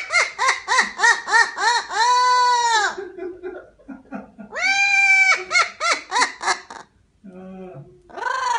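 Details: Parrot laughing: regular hoarse ha-ha pulses about three per second, broken by long rising-then-falling nasal wails, short clicks and a low grumble, ending with another laughing run.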